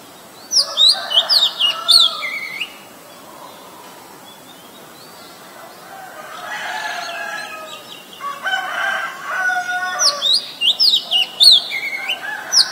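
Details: Oriental magpie-robin, a very common resident, singing in Ubon Ratchathani, Thailand, on 23 December 2019, recorded with a Nikon P1000: two bursts of high, sweeping whistled notes with lower warbled phrases, separated by a quiet pause of several seconds.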